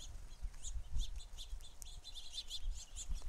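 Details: At a feeder, numerous house sparrows give sharp, bright chirps in quick succession, overlapping one another, with faint low thumps below.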